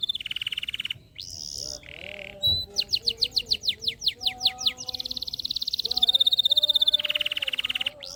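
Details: Canary in loud, persistent song, played as a lure to stimulate lazy canaries to sing: long steady whistled trills, a run of rapid descending notes, buzzy rolls and bright high tours that switch abruptly from one phrase to the next.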